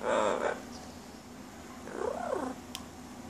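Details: A female pet yellow-naped amazon mimics a cat, calling for the household kitty: two drawn-out, meow-like calls that rise and fall in pitch, about two seconds apart, against faint room noise.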